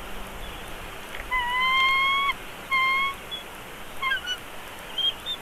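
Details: During a feeding at the Big Bear Valley bald eagle nest in March 2022, the young chick begs with a long, slightly rising whine, then a shorter one, then a few faint broken chirps against a constant low hiss.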